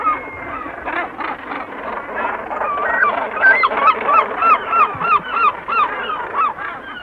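A dense din of harsh, grating gannet calls from a busy colony. Herring gulls cut in with a run of quick, upslurred yelping notes, and kittiwakes call behind.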